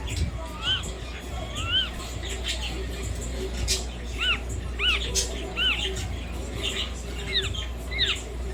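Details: Pet Indian ringneck parrot making clear whistled calls, arched notes that rise and fall, given singly or in pairs every second or so, over a steady murmur of indoor background noise and faint voices.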